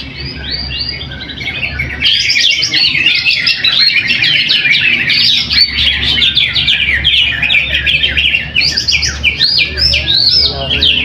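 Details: Caged greater green leafbird performing at a weekly practice singing contest in Trowulan, Mojokerto, where it won first place; soft opening notes, then an unbroken, very rapid, dense high chattering warble lasting several seconds.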